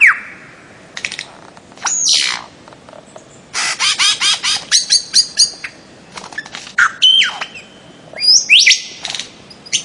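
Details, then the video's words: Bird-of-paradise calling in Papua, Aru Islands, Maluku: sharp falling whistles, then a rapid series of harsh, buzzy clipped notes, followed by squeaky rising whistles and bursts of chatter over quiet background. "kicau burung cendrawasih"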